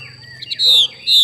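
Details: Two loud, harsh, falling notes from a female Chinese hwamei giving its xùy call, with a soft chirp before them. A faint constant whine is audible.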